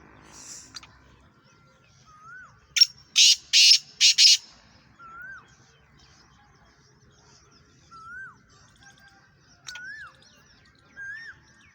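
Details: Captive home-bred Black francolin (kala teetar) gives a tight series of four loud, harsh, scratchy notes in quick succession, followed by soft rising-and-falling whistles repeated every few seconds.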